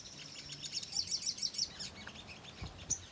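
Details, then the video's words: Ruby-cheeked sunbird, used as a lure to trigger responses, gives quick high twittering in close pulses for about two seconds, then falls quiet except for a single sharp chip. "Sogok Ontong Gacor Nyerecet‼️Pancingan Sogon Bahan Agar Emosi dan Respon Bunyi"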